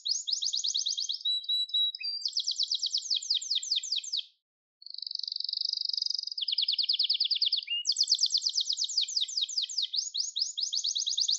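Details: Gloster canary recorded singing for song training: chains of rapid, high rolling trills, a short pause near the fifth second, then a smooth sustained tour, a lower steady trill and renewed fast pulsed rolls.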